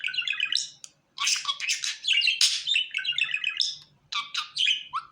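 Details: A pet budgerigar chatters in a fast, busy warble of high chirps, squeaks and buzzy notes with brief pauses between bursts, while its owner talks to it, calling it Fıstık; described as a happy budgie.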